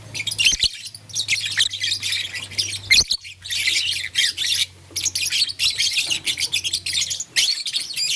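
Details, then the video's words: Shrill, scratchy chirping in fast runs from blue, lutino and green lovebirds at play with a flower, with a steady low hum beneath and a couple of clicks. "Blue Lutino Green LoveBird Playing Flower - Chirping Sound"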